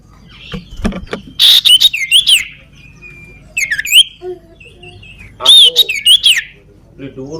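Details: Sooty-headed bulbul with a crippled leg in full, lively song. Clustered bursts of clear whistled phrases that bend up and down, separated by quieter gaps with soft clicks and faint low background noises.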